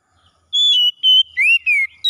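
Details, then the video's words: In the morning an Oriental magpie-robin gives a short phrase of four clear whistles, steady notes followed by a rising-then-falling slur, with a fifth note starting at the end. "OCEHAN KACER PAGI HARI"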